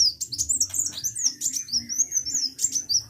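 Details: Continuous high, thin twittering from a sunbird in vigorous (gacor) song, wavering whistles and rapid chips running almost without pause, with a low background hum.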